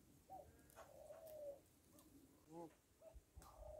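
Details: Rock dove at a farm giving soft, mid-pitched wavering coos, one drawn out for nearly a second, with a short harsher bleating note from another animal partway through and low farmyard background noise.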